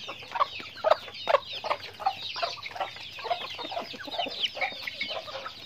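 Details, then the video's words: A flock of chickens in everyday activity: repeated low clucks, roughly two or three a second and irregularly spaced, over a constant wash of thin, high chirps. "Natural Sounds of Chickens"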